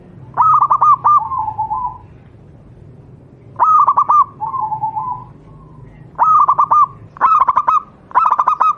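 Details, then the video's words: Song of a local wild Javanese zebra dove used as a master for training doves: repeated bursts of quick clipped coos, each trailing into a lower, softer rolling coo, quickening toward the end. "burung Perkutut lokal alam, suara untuk masteran perkutut anda"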